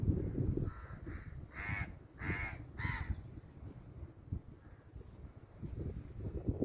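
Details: Crow calling a series of loud, rough caws: two fainter ones, then three strong harsh caws in quick succession, followed by low background rumble.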